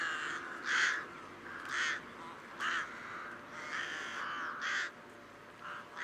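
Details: Rook calling with rough, croaking caws spaced roughly a second apart, some louder and some softer, against quiet background noise.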